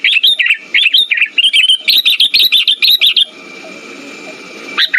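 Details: Sooty-headed bulbul chatter used as a lure to rouse birds that have gone quiet: about three seconds of fast, lively high chirps, then a hissing pause before a last chirp.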